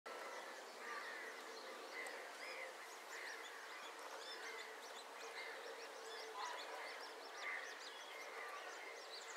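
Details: Eurasian coot parent scolding its chicks at Het Vinne, Zoutleeuw, giving short, sharp repeated calls amid a busy chorus of high chick peeping and chirping, over a steady hum of background noise.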